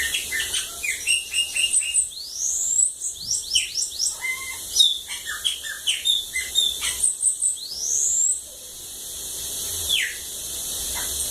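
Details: Bananaquit singing in Lagoa d'Água, Brazil: several rushed phrases of very high, squeaky, sweeping notes and dry chips, repeated back to back over about ten seconds.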